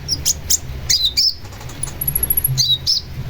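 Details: Long-tailed shrike chattering in varied, high squeaky notes and short slurred whistles, with a thin, fast, very high trill in the middle.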